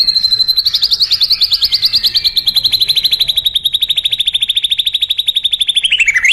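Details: White-rumped shama, a strongly singing bird with fighting material: a long series of rapid repeated high notes, about three per second, holding level then slowly falling, ending in a quick dip and rise.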